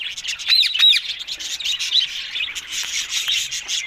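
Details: Green ringneck parrots: two quick, shrill, arched squeaks open the recording, followed by harsh, rasping chatter from several birds that continues to the end.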